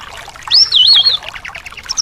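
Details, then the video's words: A single clear, loud, wavering whistle from a thrush, sliding up and then undulating down in loops, followed by softer scratchy notes, in a birdsong recording meant to stir a thrush that will not sing. "terapi anis males bunyi/anis macet"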